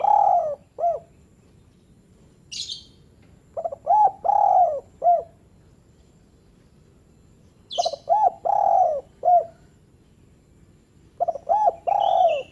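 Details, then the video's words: Spotted dove call for coaxing reluctant doves to call: three phrases several seconds apart, each a quick stutter of low coos, a long slurred croon and a short closing coo, with brief high chirps from other birds. "Panggilan Singkat Burung Derkuku/Terkukur untuk Terkukur yang malas"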